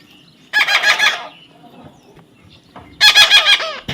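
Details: Parrot outdoors in a field, giving two rough, pulsed harmonic bursts, each broken into four or five quick beats, separated by two seconds of quiet background hiss.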